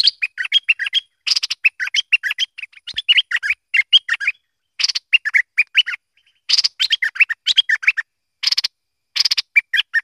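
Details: Merbah lekir, a bulbul, singing short bursts of rich, bubbling, warbled phrases, each under a second, separated by brief pauses and repeated throughout; no other clear sounds.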